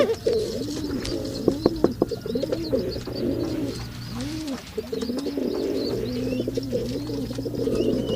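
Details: Male pigeons cooing in mating: a long chain of low, rounded, arching coos, each about half a second, over a steady low hum and scattered clicks.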